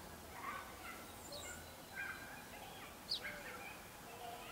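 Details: Gambel's quail hen gathering her chicks in Gold Canyon, Arizona, on 20 May 2011; short scattered chirps and harmonic notes at varied pitch, with one sharp high downslurred note near the end, over steady background hiss.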